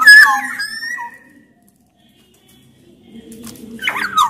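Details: Black-naped oriole of the Sumbawa type, singing loud and vigorously as a lure to get other orioles singing: a bright fluty whistled phrase with a sliding note, then a pause and harsh, rasping nasal notes at the end.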